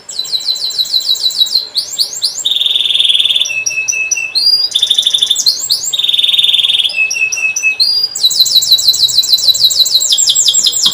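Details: Canary lure song aimed at young birds learning to sing: alternating high rapid trills, steady buzzy rolls and short whistled phrases in a long continuous sequence.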